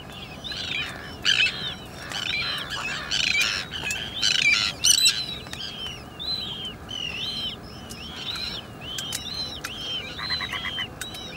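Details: Sandwich terns at a breeding colony at the Salins d'Hyères, as breeding ends and the first chicks are about to fledge: harsh, grating two-part 'kirr-ick' calls from many overlapping birds, with louder rasping bursts and a few higher, quicker notes.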